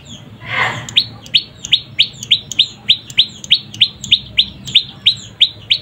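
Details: Steady, fast run of piercing high chirps from a juvenile prinia, known as prenjak pyeng, roughly three per second, each sharply downslurred. It follows a short noisy burst at the start, with faint low hum behind.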